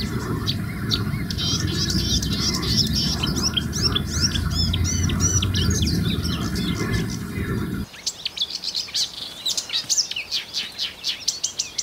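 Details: Marsh warbler singing in Russia: a fast, varied stream of high chirps, whistles and slurred notes, with a steady low rumble in the first eight seconds that then drops away, leaving the song clearer.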